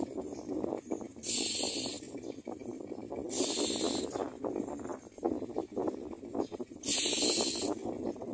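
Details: Nestling common mynas gape for food and produce three short rasping hisses, each under a second, separated by quieter stretches of low rustling and chatter.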